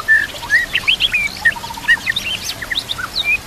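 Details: White-rumped shama singing a varied master song for training: rich whistles rising and falling, brief buzzy bursts, and a low rapid string of ticking notes midway, against quiet outdoor background.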